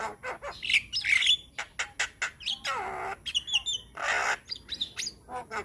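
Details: Young Javan myna in lively, chatty song packed with varied fills: harsh broadband clicks and rasps mixed with short squeaky whistles and two long buzzy bursts, delivered in quick irregular bursts.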